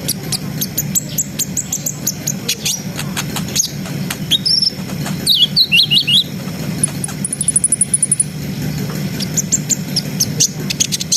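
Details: Brown-throated sunbird in full rolling, chattering song meant to stir breeding arousal in untrained birds: dense high chirps, a few slurred whistles, and a fast even high trill near the end, with a low background hum.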